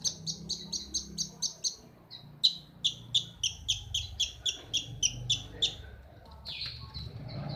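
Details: Long-tailed shrike in breeding condition giving a fast, steady series of sharp high ticking notes, about three or four per second, ending in a brief scratchy chatter over faint low background hum.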